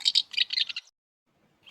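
A swallow gives a quick burst of high, chattering twitters, about six notes in under a second, then silence before a last sharp note.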